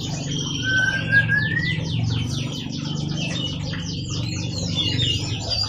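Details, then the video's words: Canary singing, a recording meant as tutor song for training other birds: a long rising whistled slur, then fast rolled trills of repeated downward-sweeping notes, over a steady low rumble. "SUARA BURUNG KENARI GACOR COCOK UNTUK MASTERAN"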